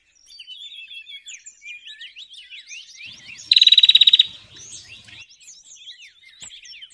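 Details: Bar-winged prinia lure recording for trapping birds: a loud, rapid buzzy trill of about a dozen even high notes lasting under a second, set in a busy background of many twittering, chirping small birds.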